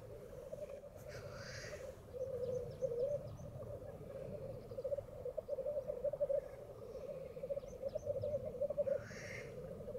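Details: Black grouse at World's End in very thick fog keep up a continuous low, dove-like bubbling, broken twice by a harsh hissing sneeze, with faint high chips from other birds in the background.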